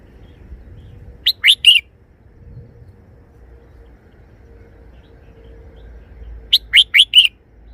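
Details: Red-whiskered bulbul in a cage showing off a three-syllable song: a rapid, bright, whistled phrase of three notes, then after a pause a similar phrase of four notes, with faint low background hum.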